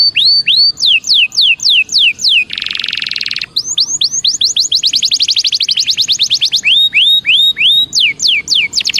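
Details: Belgian canary song used for warming up: loud, sweet repeated phrases of rising-falling whistled notes, rapid descending sweeps, and a dense buzzy trill in the middle, all high-pitched and continuous.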